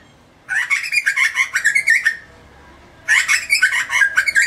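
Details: Grey butcherbird (Cracticus torquatus) call: two bursts of rich, rapid notes, each about one and a half seconds long, with harsh broadband edges over a strong mid-pitched tone.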